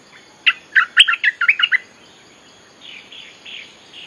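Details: Bulbul song for luring wild birds, identified as Cream-vented Bulbul: a brisk run of about seven bright, bouncing chirps, followed by a few softer, drawn-out notes fading away.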